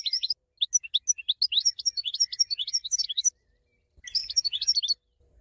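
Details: Steady, cheerful goldfinch song: a long stream of rapid, sharp, high twitters and chirps, a pause, then a shorter twittering phrase.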